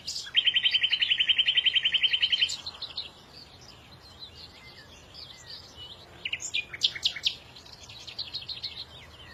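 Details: A loud, regular trill of about two dozen identical high notes over two seconds, followed by quieter scattered chirps and a burst of sharp high calls from several birds.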